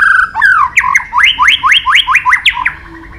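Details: White-rumped shama training song of long phrases mixing many forest voices: a loud whistled opening note, then a fast run of about eight rising whistled sweeps, each rapidly repeated, ending with a short fall.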